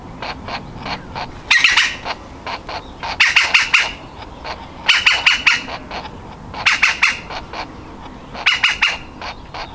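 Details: Baby woodpecker in its nest hole, ready to fledge and desperately trying to get out. It gives loud, harsh, rasping bursts of three to five rapid notes every couple of seconds, with softer single calls between them.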